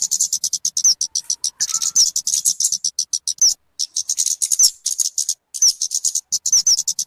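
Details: Talokan (kemade) call for bird luring or tutoring: an unbroken rush of sharp high chipping notes, punctuated by clear downslurred whistles and a couple of short gaps.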